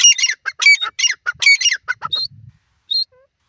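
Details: Captive breeding pair of grey francolins, locally called dakhni teetar, eight years old: loud, harsh, ringing notes delivered in rapid rhythmic bursts for two seconds, then a few scattered sharp calls and a soft low rustle.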